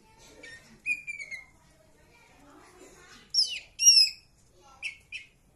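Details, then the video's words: Green leafbird singing actively: clear whistled notes, one long slightly falling whistle, then sharp high slurred phrases and two short chips near the end, with faint low murmuring in the background. "cak ijo trotol gacor"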